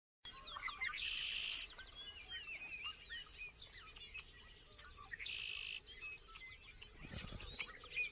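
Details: Bobolink singing: bubbling, tumbling runs of quick metallic notes jumping up and down in pitch, with two buzzy bursts, amid other birds and a low background hum.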